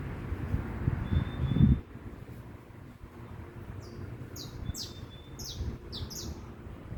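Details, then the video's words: Free-living saffron finch singing out in nature: a run of short, high, descending notes in quick succession, following a loud low rumbling noise that fades after the first two seconds. "O Canto do Canário da Terra solto na Natureza"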